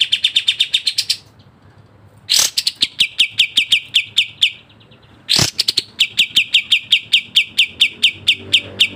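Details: Sooty-headed bulbul, masteran of fast, tight 'speed rapat' variation song. Runs of rapid, high, sharp chirps are broken by a pause and two loud harsh rasps, each followed by more quick, even chirping.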